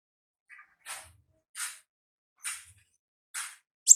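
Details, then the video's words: Olive-backed sunbird in the wild, singing in the ngalas style: high, breathy, broadband chips spaced about every 0.85 seconds, five in a row, the last sharper and louder. "Suara Asli Ngalas Konin Ninja di Alam Liar"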